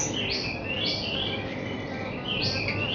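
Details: White-rumped shama song aimed at raising young birds' confidence: repeated sweeping whistled phrases, each rising then dropping, recurring about every half second over a constant hiss.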